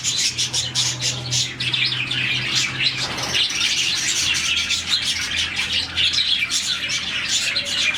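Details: Budgies, around 40 in one colony, chirp happily in the morning. A thick chorus of sharp high tweets and scratchy warbles continues throughout, with a steady low hum in the first half.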